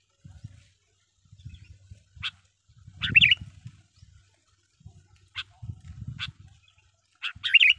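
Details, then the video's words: Sooty-headed bulbul lure song for attracting wild birds: scattered bright chirps and two short liquid warbled phrases, with a low rumble running underneath. "burung kutilang pikat gacor dengan sara panggilan pikat kutilang gacor"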